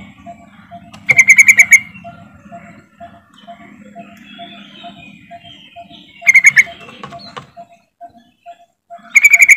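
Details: Yellow-vented bulbul calling to prompt silent birds of its kind to sing: three bubbly bursts of five or six quick, bright, ringing notes, spaced several seconds apart, over a steady faint ticking and low hum.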